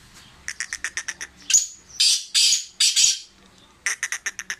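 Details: Calling Sindhi black francolin, a fearless tame bird: a run of short sharp chirps, three drawn-out harsh grating notes, then a fresh burst of quick clicks; faint low hum beneath.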